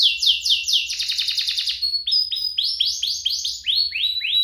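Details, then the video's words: Two canaries singing hard, a recording meant to spur canaries into song and school young birds: a fast buzzy repeated phrase gives way to clean upslurred whistles, repeated several times. "Kompilasi DUO GACOR, cocok untuk pancingan kenari biar gacor, masteran kenari paud"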